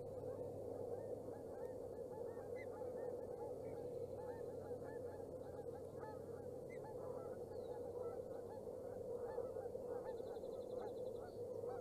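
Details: Osprey at its nest camera in Boulder County, Colorado, 27 May 2018, during the second feeding of the day; short chirping calls repeat steadily throughout, over a constant low hum and background hiss.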